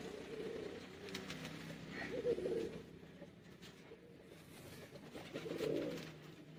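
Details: Domestic pigeons kept as a pair, giving low, throaty coos in three separate bursts spaced a few seconds apart over a steady background hum.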